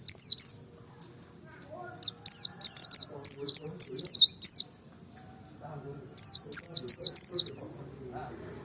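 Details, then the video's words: Wild-caught merapi white-eye singing with beak open to provoke other birds into song: three bursts of rapid, high, twittering, down-slurred notes separated by short pauses, with faint low murmuring in the background. "pancing emosi pleci merapi ngalas dobel buka paruh 100℅ ikut bunyi"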